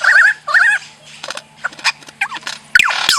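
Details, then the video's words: A bird giving a rapid series of varied noises: wavering warbled whistles, clipped chirps and sharp downward-sweeping squeals, with a steady low hum beneath. "Bird making different noises"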